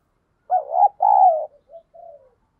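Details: Decoy spotted dove calling to stir wild birds into fighting: a wavering coo, a longer sustained note, then two faint short trailing coos.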